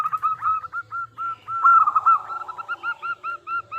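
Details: Local zebra dove singing loudly as a lure for other doves: evenly spaced short hooked coos, swelling into a brief dense trill and returning to a regular beat of notes.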